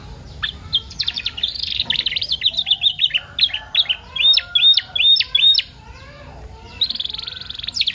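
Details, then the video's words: Varied canary lure song for stimulating canaries to sing: chattering warbled notes building into a run of bright upswept whistles about twice a second, a short pause, then a high buzzy trill. "PANCINGAN KENARI PAUD FULL ISIAN SUPER ISTIMEWA"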